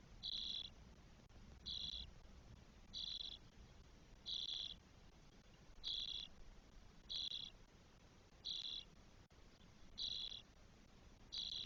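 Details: From a spotless starling nest holding four chicks on day 12, recorded in Spain on 1 June 2022: nine evenly spaced, short, grating hiss-like calls, one roughly every 1.3 seconds.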